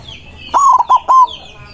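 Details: Close, loud white zebra dove singing to call rivals: a single phrase of a rolling coo, two short pulses and a final held note, with faint high chirps around it.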